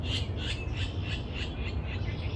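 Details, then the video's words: A Virginia Rail in a Pennsylvania wetland during a spring 2020 marsh bird survey, heard in the silent listening period: a steady series of harsh, rasping notes, about three each second, over heavy low wind rumble. "and i don't know if you heard that but that was a virginia rail and i wanted to show that to you today"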